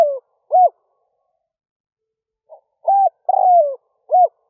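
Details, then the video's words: Decoy spotted dove cooing early in the morning to pull in wild doves. A descending rolled coo and an arched note, then after a pause a faint note, a level coo, a long falling rolled coo and a short arched ending. "Tiếng chim cu gáy rút bổi nhanh về - kích bổi nhanh nổi"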